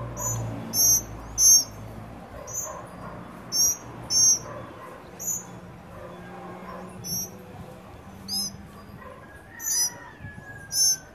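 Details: At a Trinidad birdfeeder, a family of tropical mockingbirds, babies among them, feeds together. High, piercing chips are given singly and in quick pairs about every second. A long, faint, level whistle sounds near the end.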